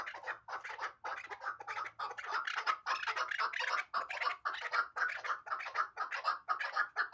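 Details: A chukar partridge hybrid from last year's hatch gives a steady stream of harsh, chattering chuk notes, about two each second. They run without pause and sound rough and broad.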